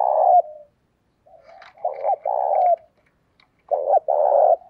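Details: Decoy spotted dove in 'giọng thổ' voice giving a provoking call; a long coo trails off, faint murmurs, then paired mellow coos with a drawn-out note, repeated twice.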